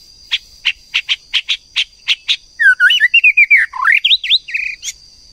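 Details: White-rumped shama, a female triggering a male to sing: eight sharp clicking notes spaced evenly, then an energetic jumble of looping whistles, rising and falling slurs, ending with a short buzzy note.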